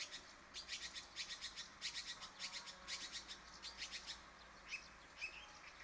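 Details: Red-billed blue magpie in Phu Khiao Wildlife Sanctuary, Thailand, giving a run of harsh, rasping notes, two or three each second, then two brief rising whistles against a quiet background.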